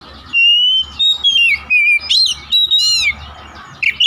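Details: Oriental magpie-robin (kacer) lure song, played to get other kacer singing: a run of clear whistled phrases, some level, some sliding down, in quick bursts with short gaps, ending in a brief high twist.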